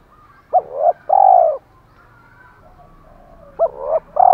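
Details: Decoy spotted dove of the 'thổ pha' voice type, giving a call-and-fight coo: a quick double note, a long low coo, a quiet stretch, then the phrase begins again. Faint background murmur.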